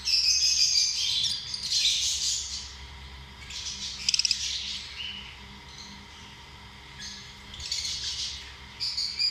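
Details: Lovebirds, small social parrots, chattering with bursts of shrill, high, buzzy chirps and squawks that come and go in waves, separated by quieter stretches; a steady low hum runs underneath.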